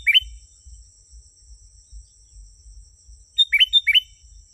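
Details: Sooty-headed bulbul song offered as an authentic lure for wild bulbuls. A short two-note chirp opens, then after a pause a quick three-note bubbly phrase, all set against a continuous high-pitched insect whine.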